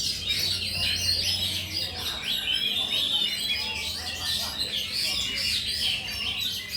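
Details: Contest-singing Oriental magpie-robin, runner-up at a bird competition in Pulau Betung, Jambi, Indonesia, Sunday 19 November 2023; a dense stream of sweet whistles, trills and sharp chirps without pause, over a busy background of other singing birds.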